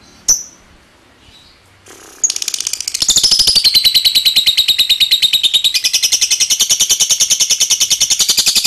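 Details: After a single sharp chirp and a near-silent pause, a lovebird launches into its long ngekek trill: a dense, rapid, buzzing chatter that builds in loudness and continues unbroken to the end.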